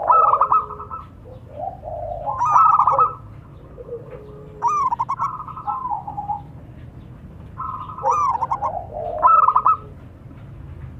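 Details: Male and female local zebra doves exchange calls: bursts of fast stuttered notes sliding into longer trilled coos, phrases returning every few seconds, a lower dove voice underneath.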